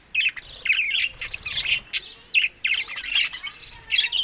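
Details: Budgerigars eating summer food in Larkana, Sindh, between May and June, giving irregular clusters of bright chirps and squeaky twitters separated by brief quiet gaps.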